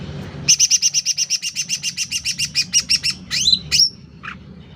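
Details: Sooty-headed bulbul in energetic song for a loud tutor or lure track: a long, steady trill of about twenty evenly spaced high double-toned pulses, then two sharp falling whistles and a soft final chirp.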